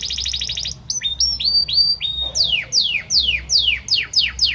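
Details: Belgian canary, a male singing to his female; rapid high trill, rising whistled slides, then a run of loud downslurred sweeping notes about three per second.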